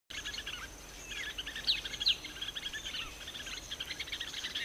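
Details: Agitated bulbul calling, described as angry: a busy stream of short, sharp chirps and quick rising and falling notes, some loud accented strokes, over steady faint high background hiss.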